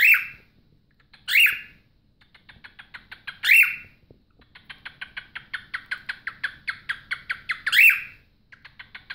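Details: Two pet cockatiels (Nymphicus hollandicus) giving loud, rising screechy calls between bursts of rapid, rhythmic chattering clicks.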